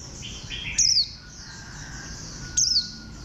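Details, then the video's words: Warbling white-eye: two bright, high-pitched downslurred whistles nearly two seconds apart, over continuous soft chirps and twitters from nearby small birds. "Khuyên xanh dáng gà tre"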